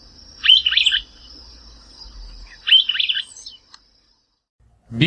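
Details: Streaked Flycatcher, subspecies solitarius, from the Brazilian Cerrado, giving two short squeaky phrases of rapid jumbled high notes about two seconds apart, with a thin steady high tone behind them and a brief loud low sound at the end.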